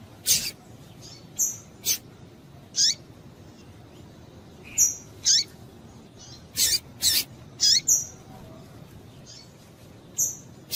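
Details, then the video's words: Female double-collared seedeater giving repeated calls meant to excite males into singing: short, high, piercing chirps, some with falling tails, delivered irregularly about once a second, sometimes in quick pairs, over faint background hiss. "Piado de Fêmea de Coleiro Para Esquentar Coleiro"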